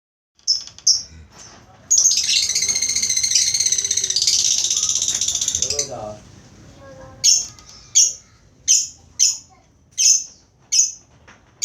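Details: Lovebird giving its ngekek chattering song: a sustained, rapid harsh rattling trill lasting about four seconds, followed by a series of sharp, shrill chirps repeated roughly every half second.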